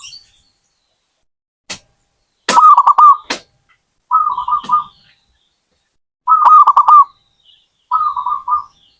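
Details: Zebra dove singing short rolling cooing phrases about every two seconds, each a quick stuttering trill of soft notes, with a few sharp clicks or knocks between phrases.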